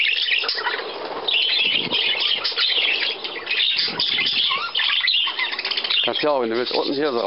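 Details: Budgerigars feeding on millet on 17 May 2010 while visitors from Leer are present; busy, overlapping chirps and scratchy warbles run throughout, ending in a wavering, tonal sound near the close.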